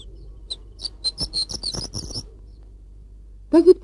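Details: Horned lark singing in the highest mountain parts above the treeline: a quick run of high, thin, tinkling notes for under two seconds, followed by a brief snatch of a man's voice.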